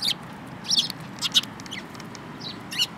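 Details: Sparrows, including one yellow-beaked bird, recorded on 24 February 2018. Short, bright chirps come in scattered bursts of two or three, with quiet gaps between them over a low, steady background hiss.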